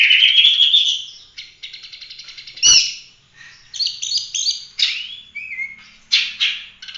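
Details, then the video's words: Oriental magpie-robin singing 'gacor' in full roll tembak style, used as masteran to train other birds: rising whistle, rapid pulsed trills, a sharp click, then short slurred whistles and chirps. "Kacer gacor ful roll tembak cocok buat masteran"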